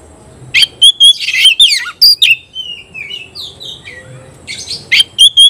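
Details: Oriental magpie-robin (kacer) singing hard in 'konslet' style, excited and firing at a rival: loud sharp whistles and buzzy chattering bursts, short falling slurs, then a quieter stretch of softer distant whistles before strident notes return.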